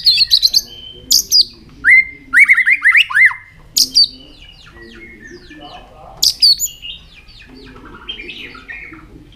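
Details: White-rumped shama singing with tail flicking, sung to stir young birds into form; bursts of sharp high chatter mixed with quick rising whistles, grouped in short flurries separated by pauses.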